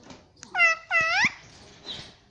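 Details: Pet talking parrot at home giving two steady, harmonic, voice-like notes, the second ending with an upward lilt, then faint rustling.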